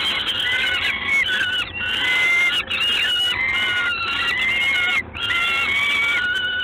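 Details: Evening of 3 June 2016 in Gdańsk, Poland: a peregrine falcon utters a series of rasping, whining cries, several with a steady level tone, about every second or two. Steady background hiss throughout.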